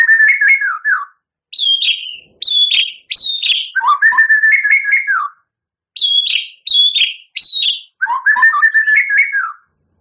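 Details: Champion white-rumped shama singing vigorously, a full song with long, harsh mimicked fill-in phrases: bursts of rich warbled and slurred whistles about a second long, separated by short pauses, with high sweeping notes between the lower rolling phrases.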